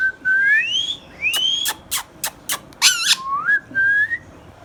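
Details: Tame pet green Indian ringneck parakeet whistling: two smooth rising whistles, a string of short sharp clicks, one buzzy rasping burst, then a steady level whistle.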